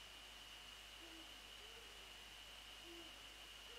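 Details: Eurasian eagle-owls, a male and a female, calling on 28 February 2014 around 6:27 at dawn; several low, short hoots repeated at intervals over a steady high-pitched hiss.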